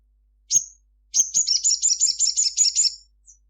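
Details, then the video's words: Sunbird called sogon in midday song; a single high note leads into a rapid, even series of about a dozen high, tinny chirps, ending with a faint note. "Kicau sunbird Sogon gacor cruit cruit siang hari"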